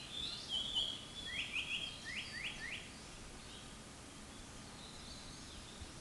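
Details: Japanese paradise flycatcher singing: a short buzzy whistle followed by three or four quick sweeping notes in a row, then fading into steady hiss with no further calls.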